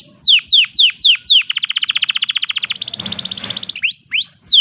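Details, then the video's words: Singing canary in breeding condition delivering unique 'tembakan' phrases to prompt other canaries to reply: five loud downward-swept notes, a quick buzzy trill, a brief noisier roll, then more falling sweeps. "Semua burung kenari pasti langsung nyaut !! tembakan unik kenari gacor birahi"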